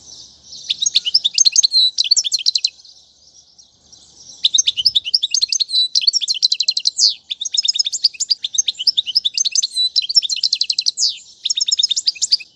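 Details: European goldfinch song used to teach young birds, in long bursts of tinkling twitters and buzzy trills with a pause around three to four seconds, then almost continuous singing.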